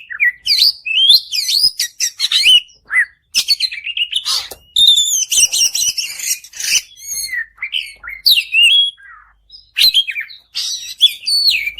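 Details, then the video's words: White-rumped shama song used to get another bird singing: a long, varied, almost continuous outpouring of rapid whistles, trills, buzzy notes and sharp chirps, with only a few short breaks. "kacer Gacor Panjang || kacer macet bunyi pasti nyaut"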